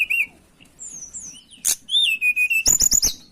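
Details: Short burst of mountain tailorbird song meant to attract birds: a high whistled note, a falling slur, then a long level whistle and a quick series of sharp, bright repeated notes.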